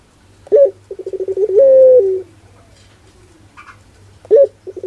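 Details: Ringneck dove of the pelung cooing style: a sharp rising note, then a quick stutter of pulsed low coos leading into one long, drawn-out, level coo that drops at the end, with a new phrase starting near the close.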